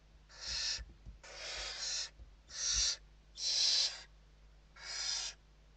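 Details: Barn owls (Western barn owl) inside a Spanish nest during evening feeding in November 2023; five rough screeching hisses about a second apart, soft thumps and background hum.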